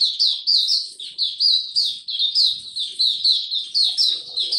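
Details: White-eye male whose song is still maturing, February 2022: a brisk, unbroken run of high, bright chirped notes, rhythmically pulsing about three times a second.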